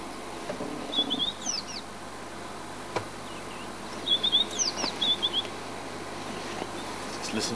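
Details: White-browed Scrub-robin, a small bush-adapted robin that uses its song in display, singing at Djuma, South Africa: short bursts of quick high whistled and trilled notes, in two groups, over steady background hiss and faint insect buzz.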